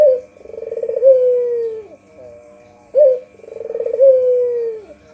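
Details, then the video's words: Two phrases of a white Barbary dove's luring coo, each a brief accented note leading into a trembling, then drawn-out descending coo, with quiet humming between. "Suara Burung Puter Putih untuk Pikatan"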